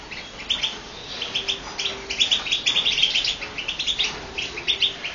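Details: A pair of European goldfinches meeting, filmed on a mobile phone on 5 October 2012: rapid, high twittering chirps in quick irregular bursts, with a faint low hum and background noise throughout.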